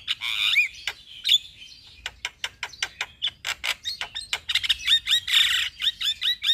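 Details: Captive black-winged starling, song as a lure for silent, stressed birds: a few whistled slurs, then a long run of sharp clicking chirps with loud bursts of chatter near the end.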